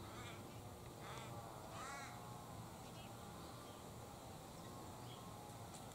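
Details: A Sulphur-crested cockatoo (Cacatua galerita) high in a gum tree, its yellow crest ruffled by wind, gives two harsh, grating screeches about a second apart over a steady low rumble.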